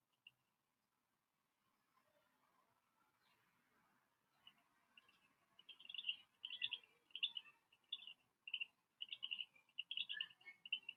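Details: A Black crake call, a bird of water and reeds more often heard than seen, played for viewers at an African waterhole broadcast on 16 August 2024. It is a run of harsh, burry chattering notes, about two a second, louder after a quiet start, with faint hiss.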